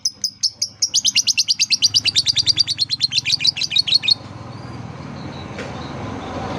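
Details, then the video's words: Lovebird prompting sound for young birds learning to sing: a fast, steady string of about thirty bright, high chirps over four seconds, then it stops, leaving a soft background hiss. "Suara terapi lovebird | kicau terapi lovebird paud"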